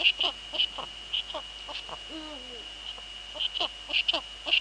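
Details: Eurasian eagle-owl pair at a nest in the Netherlands, evening of 2 February 2013 at 19:15, female at the nest, male nearby. A brief low call curves downward just after two seconds, framed by bursts of loud clicks and a steady high whine.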